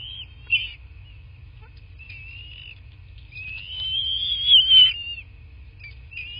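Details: Bald eagles at a nest in a quiet southwest Florida landscape, nest camera, 8 March 2024, 11:00: brief high chirps, then a long rising, wavering whistled squeal peaking twice, with low background hum.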